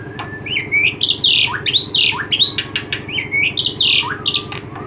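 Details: Black-winged myna calling with rasping squawks, upward-swooping whistles and sharp clicks, delivered in irregular clusters against a constant low droning hum.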